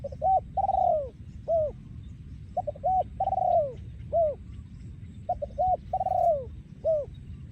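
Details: Breeding male spotted dove from Thailand, 2023, singing in the yon khu ang style: phrases of short hooting coos followed by a long, rich, falling coo and a short, bent note, repeated about every 2.5 seconds over a low rumbling background.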